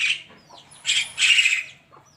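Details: Javan myna calling in the morning: a short run of noisy, grating squawks bunched within about a second, with faint high chirps around.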